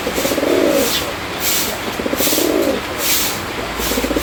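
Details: A wild pigeon gives low, rolling coos in phrases about every second or two, over a steady hiss of background noise.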